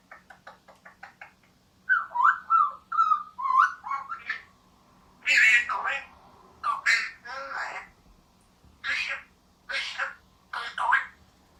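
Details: Pet male eclectus parrot of the vosmaeri subspecies, around two years old and in puberty, talking indoors: quick ticking notes, then wavering whistled syllables and bursts of harsh, speech-like mimicked words in short phrases, with a faint steady hum behind.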